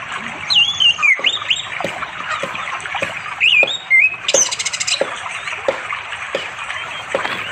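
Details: Orange-headed thrush calling a female to mate on an afternoon by a sandy, flowing river in unspoiled forest far from settlements, East Java, recorded on Android. Short sweet whistled phrases slide and warble, over running water and steady tapping clicks.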